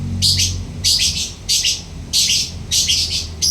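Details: Lovebird in persistent ngekek song: dense, harsh, buzzy bursts, each about half a second long, repeated roughly every second over a low rumbling background.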